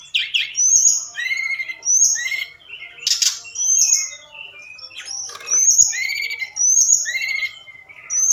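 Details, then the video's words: Forktail lure call recorded at night to excite other birds into singing. Bursts of high, clear whistles alternate with descending slurred notes, broken by short pauses and a few harsh, noisy chips. "Tledekan Gunung Gacor Malam || Suara Pancingan"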